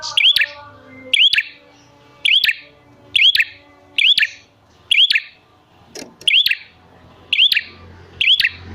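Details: Prinia call used as a lure to get wild and lazy prinias to answer and call actively: a sharp, upward-hooked chirp with snapping clicks, repeated roughly once a second with faint background hum.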